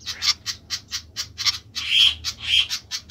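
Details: High, clipped chip notes from a noisy flycatcher, about two per second, broken by two louder, harsher squawks near the end, over a soft low drone.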